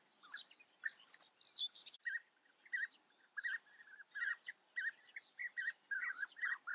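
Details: European bee-eaters at a breeding colony in the Eifel, Germany: a steady series of short, rolling, burry calls repeated about twice a second, overlapping with higher, thinner chirps from other colony birds.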